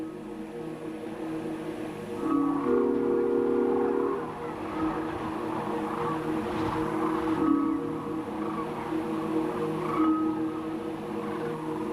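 Steady low tonal hum with chime-like musical tones over a rumbling vehicle background, and no animal calls.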